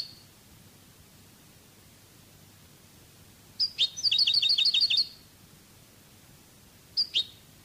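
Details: Song-tape recording of a European goldfinch in the Spanish Cádiz style: mostly quiet, with two sharp chirps, a brief burst of quick clipped high notes, and two more chirps near the end.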